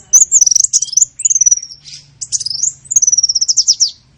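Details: Small-bird lure used to attract birds: quick high twitters, a descending whistled run, a soft buzzy note, then a fast series of evenly repeated high chips.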